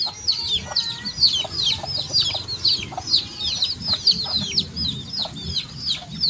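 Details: Several baby chickens peep together. Shrill, curved cheeps tumble over one another in quick irregular runs over a steady low rumble of background noise.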